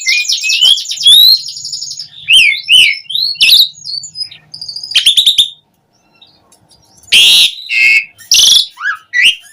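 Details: Asian pied starling in full, busy song used as a lure to make captive starlings sing: sweeping high whistles, harsh rasping bursts and rapid chattering phrases with a brief pause mid-way, then loud grating notes and whistled slurs.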